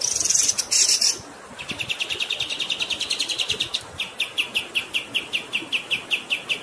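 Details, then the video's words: Kapas tembak bird singing a long rolling tutor song: a harsh high buzzy burst opens, then rapid evenly spaced chirps, about two and a half per second, against a background of running water. "MASTERAN KAPAS TEMBAK GACOR Ngerol Durasi Panjang"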